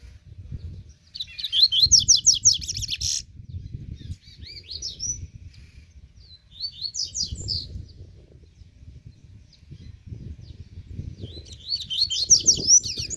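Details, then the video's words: Double-collared seedeater warming up its song: bursts of rapid, buzzy, trilled high notes, first a dense two-second run, then shorter phrases and a final burst, separated by pauses over a low background rumble. "COLEIRO LE BRON DANDO UM ESQUENTA"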